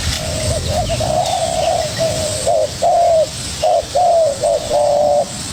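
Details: Young spotted dove calling back hard at a decoy bird in a contest: low mellow coos, first a long soft wavering run, then a burst of short clipped notes and a drawn-out coo, over steady background hiss.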